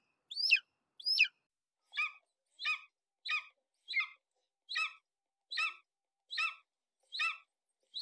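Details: Golden eagle (Aquila chrysaetos) giving a steady run of short, sharp yelping notes, a little more than one per second, the first two thinner and whistled. No other sounds.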